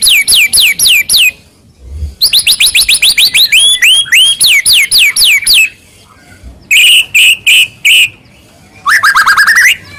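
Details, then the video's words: White-rumped shama masteran for prompting other shamas to sing: rapid strings of sharp descending whistles, broken by pauses, then ringing metallic repeated notes and a final fast burst of rising whistles. "masteran burung murai mewah"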